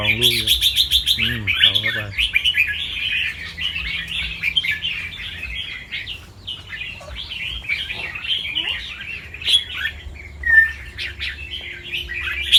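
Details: Fancy albino red-whiskered bulbul with red eyes, kept in a cage in Chonburi, Thailand, from a competition line. It delivers a long, dense stream of quick, trilling, chopped song notes, with a short burst of human speech at the start.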